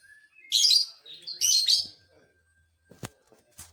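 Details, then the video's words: Lovebird singing to provoke rival lovebirds: two loud, harsh chattering bursts about a second apart, followed by near quiet with a few faint clicks. "dijamin burung Lovebird lain emosi"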